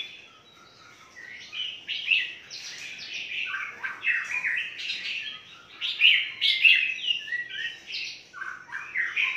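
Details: Red-whiskered bulbuls in a large breeding aviary on a farm in Phetchaburi, Thailand, chatter in bright, overlapping whistled and chirpy phrases, several birds at once, bursts coming irregularly about every half second.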